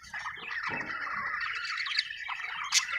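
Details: Happy budgie chirping, an Australian bird: a continuous dense warble of chatter and rapid chirps, with a brief low rustle early on and a sharp high note near the end.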